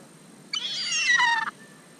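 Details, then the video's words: Gull at lake Hovindammen while being fed minced chicken meat: a single harsh, harmonic-rich call about one second long that drops in pitch at the end, with a quiet background. "Måker på Hovindammen"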